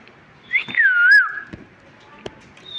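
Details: Talking parrot chirping: a single long whistle that jumps up, slides down and gives a small lilt at the end, then a couple of faint taps.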